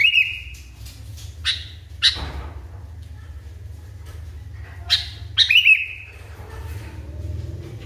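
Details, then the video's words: Highly agitated sooty-headed bulbul uttering scattered sharp chirps and two phrases that end in a short held whistle, with steady low droning noise throughout. "KUTILANG NGAMUK PARAH"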